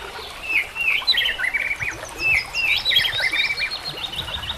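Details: Song of a white-rumped shama for training other shamas, mixed with nature sounds and trickling water: lively chains of high chirped and whistled notes, quick slurred phrases tumbling one after another with little pause.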